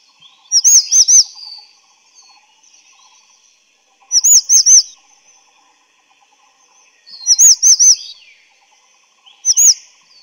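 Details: Grey-chinned Minivet (Pericrocotus solaris) giving bursts of three or four high, thin, sweet notes, repeated every few seconds against a quiet background.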